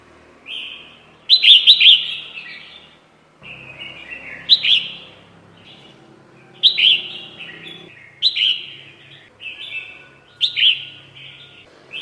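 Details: Trapping lure call of a red-whiskered bulbul: repeated bright, chirpy warbled phrases about every two to three seconds, each with a sharp peak and slurred ending, over faint low indoor hum.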